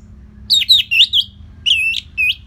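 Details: Orange-headed thrush, a cage bird from Singaraja in North Bali, singing to train other birds: rich warbled whistles sliding up and down, in two quick phrases separated by a brief gap.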